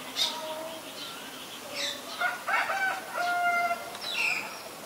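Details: Common myna in Ubon Ratchathani, Thailand, February 24, 2022, giving a varied run of clear level whistles, clicks and harsh squeaky notes in irregular bursts, with gaps of quiet between phrases.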